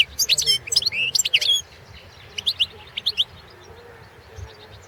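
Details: Goldfinch of the Balkan subspecies Carduelis carduelis balcanica, recorded for an internet singing competition, the 2017 World Championship in Goldfinch Song held in Serbia: a burst of high, fast twittering notes, then a pause and a shorter twittered phrase.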